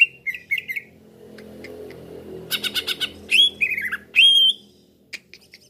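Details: Green leafbird lure call for trapping: a few soft whistles, a gap with a low murmur, then scratchy bursts and clear sweeping whistles that rise and then drop, ending with thin faint notes.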